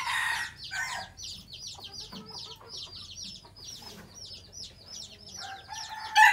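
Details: Decoy red junglefowl rooster of the old Phatthalung line, bred at home in Thailand and used to call in wild birds, gives a short crow at the start and another at the end. A steady series of fast, high, repeated chirps fills the gap between them.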